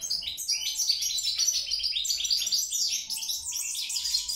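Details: European goldfinch singing a fast, tinkling stream of twittered notes, bright and high, with quick buzzy flourishes and liquid trills run together without pause; a faint steady low hum runs underneath.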